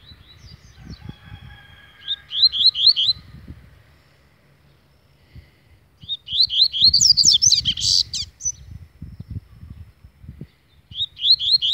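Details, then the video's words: Double-collared seedeater, described as agitated, delivering bursts of quick rising whistled notes, with phrases repeated about two seconds apart. A dense buzzy climax sits in the middle, with faint low knocking noises in the background. "Coleiro ZANGADO"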